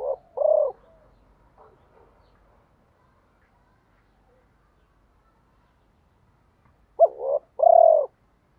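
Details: Spotted dove coos meant to stimulate reluctant cage doves: a short phrase of a double note and a longer coo, several quiet seconds with faint murmurs, then the same paired phrase repeated.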